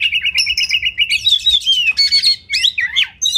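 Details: Oriental magpie-robin singing for training contest birds: a steady run of repeated warbled notes, then bright rising and falling whistles and quick twisting chatter, with a soft low hum beneath.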